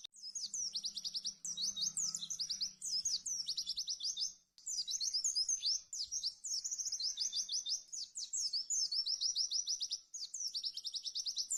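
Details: White-eye song recorded as a training model for other songbirds, delivered at maximum speed: dense, rapid high chattering trills and sweeping notes packed into near-continuous bursts, with brief pauses every few seconds.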